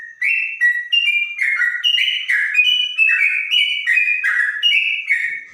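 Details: Trotok of the bonang type with a clear voice likened to a straw-headed bulbul: a bright run of short whistled notes stepping up and down, each note rich with overtones, delivered almost without pause.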